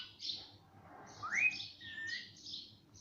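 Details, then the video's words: Household parrot that talks, saying mummy and papa, makes breathy hissing sounds and a clear rising whistled note, followed by softer airy syllables. "मम्मी पापा बोलने वाला तोता - talking parrot"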